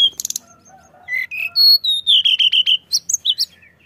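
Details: Pied bushchat song beginning with quick high chips, then pure whistled notes stepping up and down, and a rhythmic string of repeated whistles ending in high rising calls.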